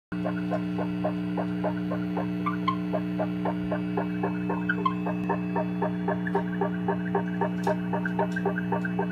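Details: Wild barn owl (Tyto alba) pair during their mating ritual, one giving a fast run of short, harsh chittering notes about four per second, over a steady low electrical hum; barn owl.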